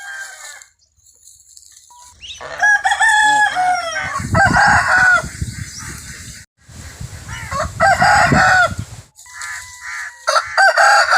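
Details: A rooster crows amid clucking and other farmyard calls on a free-range poultry farm also keeping guinea fowl, geese and chickens.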